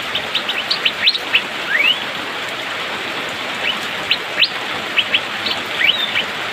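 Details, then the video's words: During the rainy season, an Asian fairy-bluebird sings quick bursts of high whistled upslurs and a longer rising glide, then scattered single notes, over continuous rain noise. "Cucak biru/pikpik,musim hujan auto gacor speed rapat"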